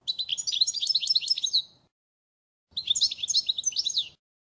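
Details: Model song of a European goldfinch from 2016, meant for teaching young birds: two fast, bright phrases of jumbled twittering notes and quick trills, the first about two seconds long, then a pause before a shorter second phrase.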